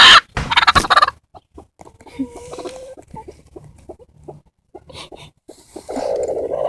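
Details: Broody bantam x bearded silkie hen guarding her eggs and scaring her keeper away: a loud harsh squawk burst opens, followed by scattered short clucks and then a low, sustained growling note near the end.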